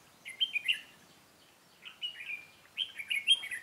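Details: Red-whiskered bulbul at a trapping session, 13 March 2017, giving three clear, lilting phrases of short slurred whistles, each lasting about half a second and separated by brief silences, over a quiet background.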